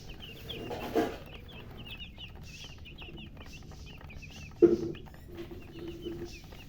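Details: Newly hatched chicks giving clear, high, slurred peeps in quick series, pausing briefly, interrupted by two louder low thumps.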